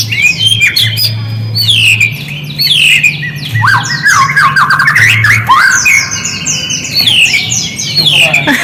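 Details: White-rumped shama lure song aimed at provoking a response: energetic mix of sweeping whistles, rapid trills and chattering notes, dense and continuous, over a low steady electrical hum.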